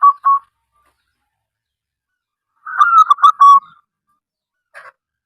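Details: Local wild zebra dove from Indonesia, used to lure other zebra doves into calling; soft paired coos, then a stuttering burst of four clipped notes ending in a longer coo, and a faint final note, in silence.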